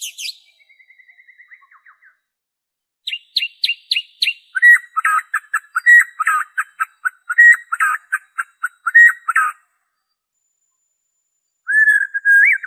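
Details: White-rumped shama singing, original song with no added phrases, played to coax kept birds into song: a descending ticking series, then a long stretch of rapid, varied, rich whistled and chattering phrases, a pause, and a short whistled ending.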